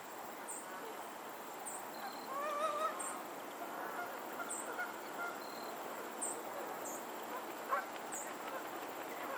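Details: Geese on a lake in Pennsylvania. A drawn-out, wavering honk is heard near the middle, followed by fainter calls. Short high chirps repeat through the recording above a soft steady hiss.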